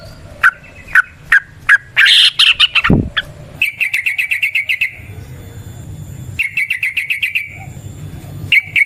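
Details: Wild sooty-headed bulbul song played as a lure for other bulbuls: spaced sharp chirps, then a loud chattering burst followed by fast, evenly repeated trilled phrases.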